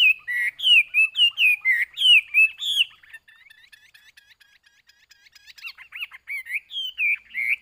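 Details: Chinese hwamei in a cage, delivering a rapid series of loud, looping whistles, then a quieter stretch of soft chattering notes before the rich whistled phrases return.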